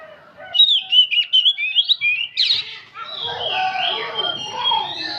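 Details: Oriental magpie-robin, an old bird singing nonstop, with a string of bright whistled and warbled notes, followed by a noisier stretch of mixed background sound.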